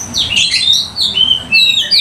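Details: Captive Oriental magpie-robin in full song, tail opened, singing to stir up other magpie-robins: rapid run of high, clear whistled notes and sliding sweeps, with fast scratchy twitters, all close and loud indoors.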